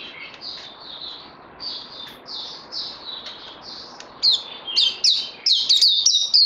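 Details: White-eye in training, recorded 18 May 2020, with quiet whistled phrases at first, building into louder, quick high chirping notes over the last two seconds, against a background hiss.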